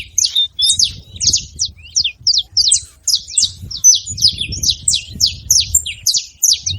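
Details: Saffron finch making noise in a tree, continuous busy chirping of high buzzy descending notes, several per second, with a soft low murmur beneath.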